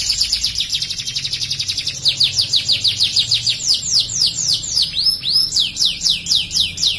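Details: Canary performing ciblek-style material in insistent rapid bursts: a dense, high chattering trill for two seconds, then a steady series of clear downslurred whistles repeated about three to four times a second.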